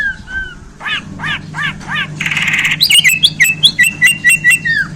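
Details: Newly acquired Bornean white-rumped shama sings repeated arched chirps, a harsh rasping burst, then a fast series of ringing whistled notes, about two per second.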